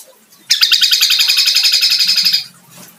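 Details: Kombo-type kecial white-eye giving a two-second burst of fast, bright, repeated chirps at high pitch with an even rhythm, ending cleanly. Faint low hum is audible underneath.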